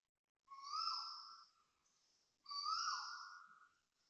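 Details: Loud koel calls at 6:38 am, 5 December 2025, at a housing block in Toa Payoh, Singapore: two long, clear whistled notes about two seconds apart, each swelling then sagging slightly in pitch.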